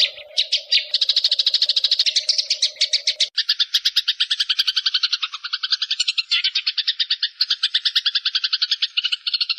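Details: Songbird delivers fast, rolling high trills of rapid repeated notes shifting pace and pitch, in a long training-song compilation of species such as magpie-robin, leafbird, shama and shrike, set over flowing water.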